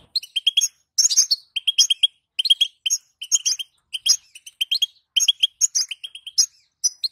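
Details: Female European goldfinch call, used to stir male goldfinches into singing: rapid clusters of short, bright tinkling chirps, several bursts each second with brief pauses between groups, some notes sharper and higher, no other sounds.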